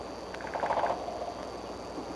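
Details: Wild bald eagle pair on the Y branch near their nest at Decorah, 3 March 2013, about 9:00 am; a quick run of staccato, chittering notes over steady background hiss.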